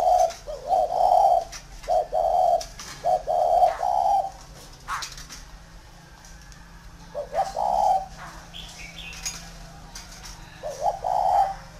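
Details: Spotted dove kept tame at a dove farm in Ba Vi, Vietnam: a run of three rolling coo phrases, a pause, then two more, each a soft pickup note sliding into a long throaty coo.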